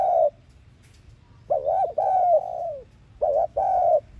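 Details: Spotted dove cooing in the thúc gù decoy style, played to trigger cooing in caged birds. A brief coo leads into two long, slightly falling coo notes, then a short pair follows after a pause.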